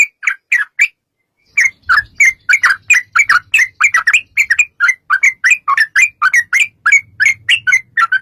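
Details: Rapid, extended sooty-headed bulbul song, used as a lure to get bulbuls singing. A few opening notes and a pause lead into a continuous stream of bubbly, chirpy phrases. A faint low hum is present at times.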